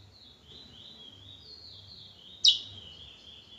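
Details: Trinidad bullfinch giving a steady, high warbled song of sliding notes, broken by a single sudden loud, bright note near the end, then resuming; otherwise quiet.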